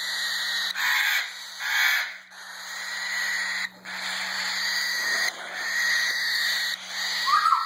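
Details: Three baby cockatiels, under about four weeks old and just fed, give harsh, wheezy rasping calls in repeated hissing bursts.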